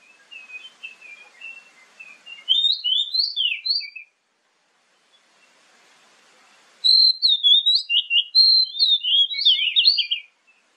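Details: Oriental magpie-robin song, used as a lure for morning and evening to make other magpie-robins answer. Soft, faint warbling gives way to two loud phrases of varied, sweet whistled notes that slur up and down, separated by a pause of nearly three seconds.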